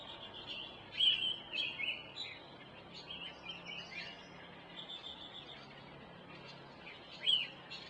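Oriental magpie-robin singing a varied run of clear whistles and chirps, with short phrases scattered through; a faint steady hum underneath.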